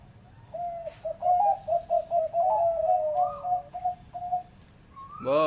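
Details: Medium-pitched Zebra dove, farm-kept, uttering a rippling run of short cooing notes that waver slightly in pitch, ending with a brief loud rising sound at the close.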